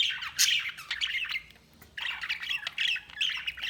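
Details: Several budgerigars chatter in a fast, busy warble of clicks, squeaks and scratchy chirps, running almost without a break apart from one short lull.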